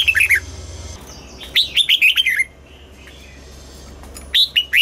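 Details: Red-whiskered bulbul singing in the morning during voice training for double-note, old wild-bird style song: short rich warbled phrases of four to six descending notes, a quiet gap, then another phrase, with low hum.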